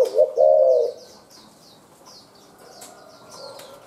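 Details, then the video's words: Spotted dove from the forest, wild-caught, calling fast: a quick double coo opens, followed at once by a longer throaty coo. Then a quiet stretch filled only by thin chirps of other birds. "cu gáy bổi rừg ra lèo rặm mau, chu thưa"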